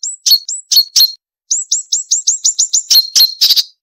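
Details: Marsh warbler song used as training material for songbirds: sharp, high, downslurred whistled notes repeated in a quick series, interspersed with harsh clicking bursts.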